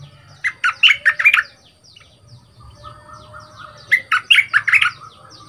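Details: Young bulbul in a cage for two months, trained as a decoy bird with a big voice, delivers two bouncy phrases of rapid, fluty chirps about three seconds apart.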